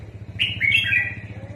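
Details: Red-whiskered bulbul serving as a trapping decoy gives one quick phrase of bright, descending slurred whistles over a steady throbbing engine hum.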